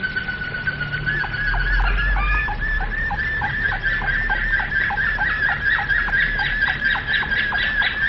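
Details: Domestic canary singing in the flute style, a held whistle with rapid repeated clipped notes beneath, growing into a denser trilling passage, over low background noise.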